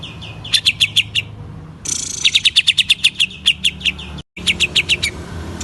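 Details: Greater green leafbird in vigorous song, played to excite rival leafbirds. It gives rapid bursts of sharp repeated notes broken by a hissing sweep, with a brief silent gap before more fast, ringing phrases.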